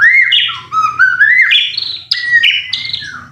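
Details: White-rumped shama provocation song for making caged birds sing: clear whistled notes stepping up and down in pitch, each held briefly, in a flowing sequence.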